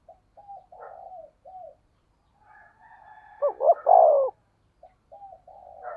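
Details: Spotted dove call in 'thổ sấm' voice, meant as a lure to stimulate other doves. Soft, low, quavering coos surround one strong phrase of two quick notes and a long descending hoot near the middle.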